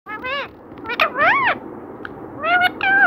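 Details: Talkative pet parrot mimicking human words; four or five arched, strongly harmonic syllables, each rising then falling, delivered in two short bursts with a pause between, over a faint steady background hiss.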